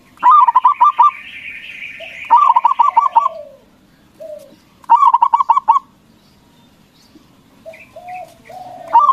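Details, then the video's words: Local zebra dove song used to provoke rival doves into answering: loud bursts of rapid, bubbling coos near one kilohertz, about a second each, repeated several times, with softer mellow whistled notes between phrases. "Perkutut lokal Gacor Suara BESAR bikin Cepat Emosi Lawan Auto Nyaut Seketika"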